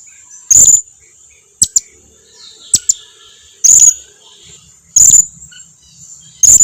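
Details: Lure calls of a blue-crowned hanging parrot to get other hanging parrots to respond: single shrill, thin, high notes about every 1.2 seconds, with a few faint ticks between them and a constant high whine.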